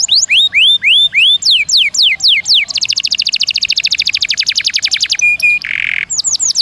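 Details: Canary song used as a training recording for songbirds, with long rolls and varied bursts: repeated rising whistled sweeps, then a fast even trill of about thirty notes, a steady tone and a brief buzzy burst, before sweeps resume.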